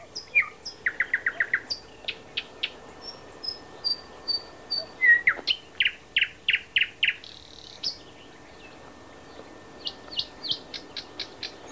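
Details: Thrush nightingale song recorded at Háj, Turčianske Teplice, Slovakia: rapid runs of hard clicking notes, thin high whistled pipes, a rattling stretch and a fast sharp repeated series, loud and varied.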